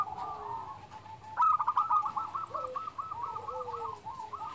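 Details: Local zebra dove, described as a constant, big-voiced singer, used to lure and stimulate other doves: a soft rolling coo of short, evenly spaced notes strung into a long train, over a steady background hiss.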